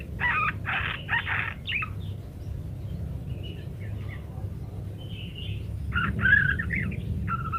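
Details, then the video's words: Parakeet singing actively in varied phrases, recorded as a training recording so munias learn to chatter quickly; short buzzy chattering bursts open the clip, then scattered brief chirps and a final rapid burst, over a steady low hum. "rekaman suara asli burung PARKIT gacor berbagai variasi"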